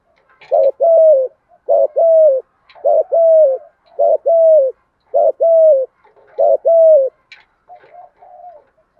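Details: Spotted dove, male and female, in the 'giọng thổ' thúc gù style that provokes wild doves to respond. Six regular two-part coos, a brief note and a steady drawn coo, repeated rhythmically, ending in faint soft cooing.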